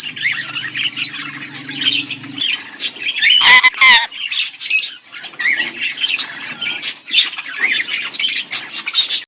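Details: A pet pair of budgies chirps and squawks in rapid, rasping warbles, with a louder harsh squawk burst near the middle and a low hum early on, then steady scratchy chatter to the end.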